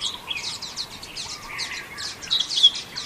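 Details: Common waxbill in Xinyuan Township, recorded 3 June 2024: rapid bursts of buzzy, high chirps and short nasal notes, closely overlapping as if from several birds, with a faint lower hum beneath.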